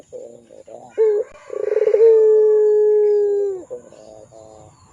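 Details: Barbary dove cooing in pelung style, used to tutor young birds: soft short notes, a quick rising hoot, then a rolling onset into one long smooth hoot that slides downward, followed by quiet wavering notes.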